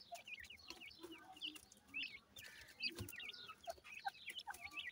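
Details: Thin, high, looping chirps from grey francolin (teetar) chicks repeat throughout, several birds overlapping, with a few deeper clucks and a soft thump near the middle.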